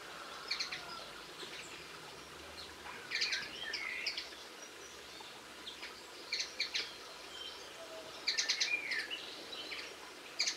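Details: Song of a linnet on 22 March 2016, delivered as repeated bursts of quick high chirps mixed with short warbled, twisting notes, with pauses of a second or two between phrases; soft outdoor ambience underneath.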